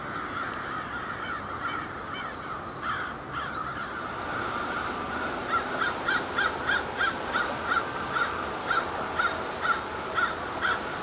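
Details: Crows flying up and down around warehouse buildings near their overnight winter roost just after sunset, October 21, 2021; scattered caws build into a rapid run of repeated caws, roughly two per second, under a constant high hum.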